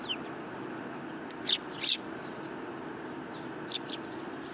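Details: Sparrows in the city approaching for food on 30 November 2015 give a few scattered, sharp high chirps, one pair close together, over a soft low traffic hum.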